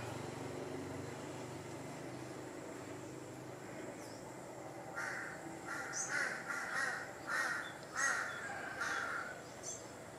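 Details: A Large-billed Crow in a backyard in a Thai village gives a run of six or so hoarse, harsh caws in quick succession, after several seconds of low background rumble.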